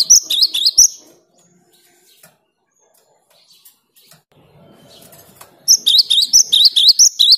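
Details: A caged cinereous tit singing vigorously, used to prompt silent birds to start singing. Quick series of bright, high chirping notes at the start and again near the end, with a hushed gap and faint low noise between.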